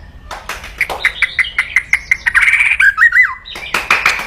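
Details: Aggressive crackling from a white-rumped shama meant to rouse rivals: a fast series of harsh clicks and rattles, then a short warbled phrase of slurred whistles, ending in more rapid chattering.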